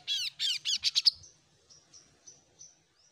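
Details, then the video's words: Oriental magpie-robin, untrained and beginning to sing, gives a fast run of six arched, slurred notes climbing in pitch, followed by several faint, thin high notes spaced about a third of a second apart. "BURUNG KASOKASO BAHANAN YANG SUDAH MULAI BUKA SUARA"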